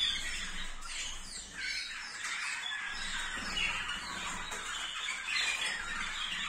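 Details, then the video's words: Waterslager canaries in song, 2022: continuous warbling with quick falling slurred notes and rolling trills, mid to high pitched, barely pausing, a brief dip in volume early on, over a soft low hum. "Kanarki wodnotokowe"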